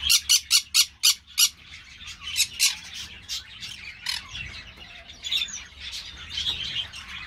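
Green-cheeked parakeets give harsh, grating squawks, six quick shrieks in the first second and a half, then a looser run of scratchy chattering calls.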